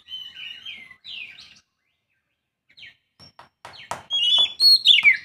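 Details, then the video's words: Young Oriental magpie-robin with a few short whistles, then clicks and knocking sounds, ending in a loud, rich burst of warbled whistles. "Aksi kacer muda"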